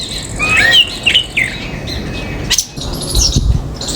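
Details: Common myna in an Indian backyard garden gives a brief cluster of bright, twisting whistled notes, followed by a sharp rustle and quieter chirping in the background.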